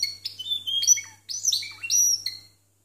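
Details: Caged Timbrado canaries scored 92 and 93 points in a contest, singing in the discontinuous style: short separated bursts of metallic, clipped notes with brief silences between, over a faint steady hum.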